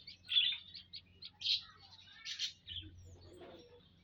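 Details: Flock of munias kept in an aviary, recorded on 19 April 2025: rapid high-pitched twittering and buzzy chirps in quick clusters, fading out toward the end over a low background hum.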